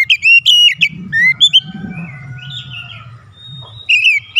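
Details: Challenging a rival, an oriental magpie-robin (kacer) delivers quick, bright, warbled whistles, then a softer stretch of faint chirps over a low rumble before loud notes return.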